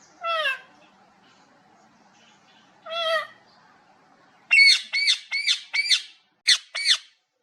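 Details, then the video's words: Pet parrot imitating a cat: two drawn-out, meow-like arched calls about three seconds apart, then a rapid run of six short, harsh, arching squawks, each with a strong harmonic stack. "mithu parrot makes cat sounds, parrot talking meow meow"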